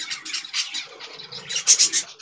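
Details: Caged zebra finch family, father and mother tending young birds that are learning to feed themselves; bursts of sharp, high chirps and squeaks come in quick irregular clusters, loudest near the end, over faint background noise.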